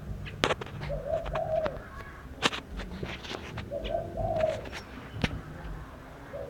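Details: Bird singing: low rolling coo phrases repeated about every three seconds, each a short note then a longer coo, interrupted by frequent sharp taps and clicks nearby.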